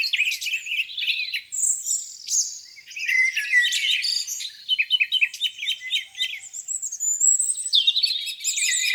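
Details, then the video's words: Birds in full song at a lake on a spring morning, mixed high chirps, buzzy trills and thin whistles from multiple singers layered together. "Singing birds, beautiful lake view on a spring morning."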